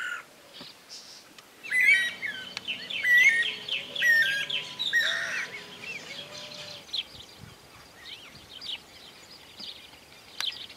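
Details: Green-barred Woodpeckers in rural groves of Santa Fe, Argentina, in 2023, give loud, ringing, rising-and-falling calls, overlapping in a duet for about five seconds, then fading to faint background chirps.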